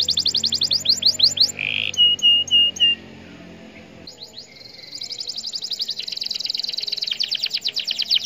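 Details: Canary singing to provoke other canaries to respond: a high, quickly repeated chirping trill, a few clipped whistled notes, a short pause, then a long, fast, buzzy trill building in intensity.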